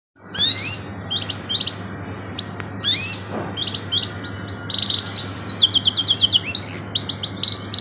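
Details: Caged canary singing a long tutor song in the luxurious 'cengkok mewah' style: fast high trills, rising whistled sweeps and rapid repeated chips that build into dense rolling phrases, over a steady low electrical hum.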